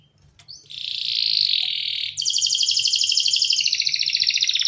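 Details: A canary's song opens with a couple of faint notes, swells into a loud sustained buzzy warble, then breaks into a very fast rolling trill that gradually slides lower in pitch.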